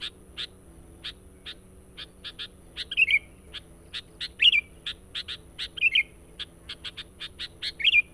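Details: Sooty-headed bulbul song used to lure wild birds: short bubbly slurred notes every second or two, over steady rhythmic high clicking chirps and a faint constant high tone.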